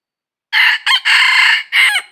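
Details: From a wild junglefowl trapping trip on 22 December 2021, a red junglefowl crows once. The call has four segments, short, short, long and steady, then a final note that trails downward, loud against a quiet background.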